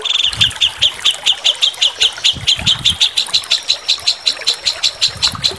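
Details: White-rumped shama, a linked master-song training recording. Piercing high notes repeat steadily, about four each second, in a continuous series over light background noise.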